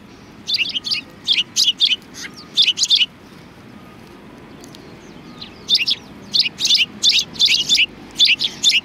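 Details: Cute sparrows at a Tenmangu shrine in Japan, February 2020: bright high chirps given in quick clusters of two or three, a burst over the first three seconds, then a pause, then a denser run of clustered chirps.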